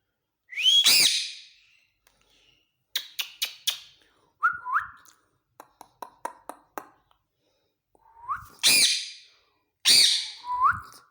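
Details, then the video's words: Male green rose-ringed parakeet kept as a talking pet indoors, said to say words such as mithu: short whistled and speech-like syllables, clicking bursts and harsh screeches in a small room. "green ringneck Talking male"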